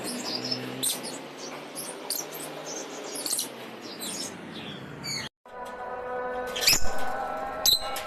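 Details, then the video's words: Lovebird chirps: bright high squeaks scattered irregularly, briefly cut off, then a louder shrill chirp or two over a buzzing background. "lovebirds chirping sounds."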